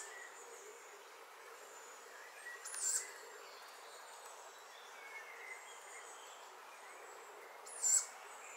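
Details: Tawny owl chick at Nettleton, Lincolnshire: a pair of rasping, breathy shrieks five seconds apart, short and high, separated by quiet stretches with faint far-off bird twitters.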